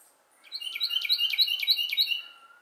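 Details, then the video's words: Carolina wren singing at Glebe Park, Siesta Key, Florida, a loud, rolling series of about five rich, ringing phrases, each repeated quickly at roughly three per second; no other sounds intrude. "Carolina Wren Singing"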